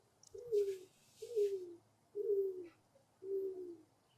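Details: A Greater Roadrunner gives four low, faint, dove-like coos, each slurring downward, about a second apart over a faint hiss, calling as it turns and bends over.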